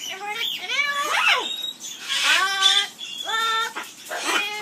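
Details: Amazon parrot kept in an aviary singing the skimmeradinkadinkadink song, with loud, rising and leveling voice-like tones in stacked overtones, a swooping squeal near the start, and several sustained, flat notes.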